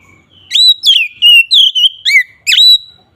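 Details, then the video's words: 'Ngeplong' song of an Oriental magpie-robin, played as a lure for its own kind: six or seven loud whistled phrases, each a sharp upward sweep into a level high note, then a couple of downslurred whistles, in a quiet background. "suara BURUNG KACER NGEPLONG"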